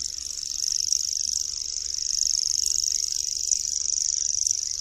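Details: A common grasshopper warbler (Locustella naevia) gives its reeling song, a high, dry, unbroken insect-like trill that runs on without a pause.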